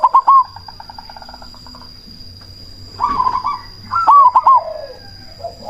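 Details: Loud cemani zebra dove, kept as a lure to make other doves answer and stir breeding drive, gives short bursts of rolling, trilled coos separated by quiet stretches, with a thin constant whine in the background.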